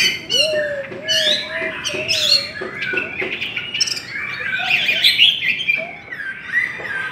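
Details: Hwamei singing contest: loud jumbled warbling with harsh buzzy bursts and high slurs, over a low wavering whistle at the start.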